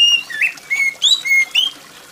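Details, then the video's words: Short run of loud oriental magpie-robin whistles, gacor-style song meant to prompt other magpie-robins to sing. Four or five sharp upslurred and flat notes in quick succession, with faint rain. "TERAPI KACER MALAS BUNYI || kacer mana yang gak ikut bunyi dengar kacer gacor + suara air hujan"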